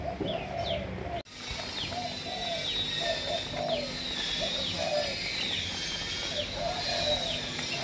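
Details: Malaysian spotted dove, a captive-bred bird, gives low, soft coos in short repeated phrases, with thin high downslurred whistles and chirps from other birds over steady background hiss.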